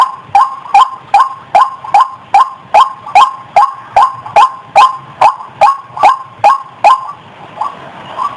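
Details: Lure call of the White-breasted waterhen, played to bring birds out of the bushes toward the sound. Rhythmic, croaking notes come at an even beat for about seven seconds, then trail off into softer, blurred calls.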